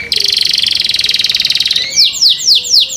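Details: Canary in care singing a song meant to prompt other canaries to join: a long, rapid rattling buzz lasting nearly two seconds, followed by four loud, sharply descending whistled notes.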